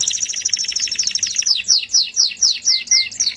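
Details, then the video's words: Melodious canary singing a fast rolling trill that shifts into a string of repeated downward-slurred whistles, about three per second. "suara burung kenari merdu"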